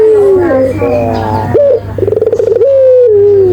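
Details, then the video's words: Barbary dove cooing vigorously, given as calls for training and luring birds: a falling coo, then a rolled, pulsing note and a long level-then-falling coo, over a steady low hum. "suara burung puter gacor‼️"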